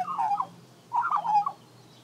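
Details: Female Australian magpie of the Western race, Gymnorhina tibicen dorsalis, singing while gathering grass for her nest: two loud, mellow, gurgling warbled phrases, each about half a second long, separated by a short pause.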